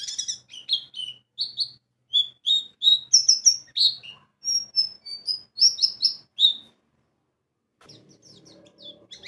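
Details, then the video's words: Lure song of a white-eye (pleci) for provoking others to sing: a string of separate bright high whistled notes, some dropping in pitch, stopping after six seconds, followed by faint scratchy twitters. "PANCINGAN PLECI BAHAN JANATAN PASTI BUKPAR,NGALAS,WIKSAR"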